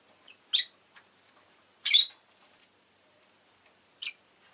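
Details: Rosy-faced lovebird making three separated calls: a sharp chirp, a longer harsh rasping squawk, and a brief shrill note, with faint soft clicks between them.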